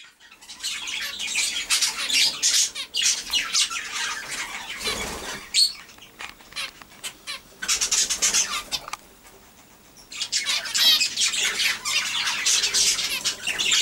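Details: A crowd of zebra finches in breeding cages keeps up a busy, high chatter of short nasal beeps and squeaky chirps.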